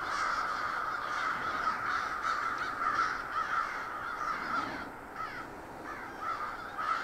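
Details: Huge crowd of crows in a backyard park, nonstop overlapping rough caws, some short clipped calls standing out near the end as the chorus thins slightly.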